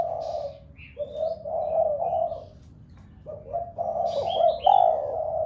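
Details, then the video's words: Spotted dove giving its coo to rouse the household flock of doves: low, burry crooning phrases with a pause of about a second in the middle, and brief high chirps and twitters from other birds in the background. "Cu gáy gáy thúc cả bầy cu ở nhà gáy loạn. tiếng chim cu gáy kích bổi nhanh nổi nhất."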